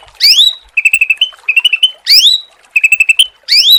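A magpie-type bird alternates loud, rising, whistled sweeps with quick bursts of five or six clipped, metallic notes, repeating the pattern about every two seconds.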